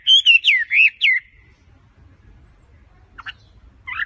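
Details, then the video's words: A Chinese hwamei in energetic song, used as a lure call, sings a rapid run of loud, looping whistled phrases over about a second, then two brief sharp notes after a pause, with a faint low rumble beneath. "Suara WAMBI /HWAMEI GACOR"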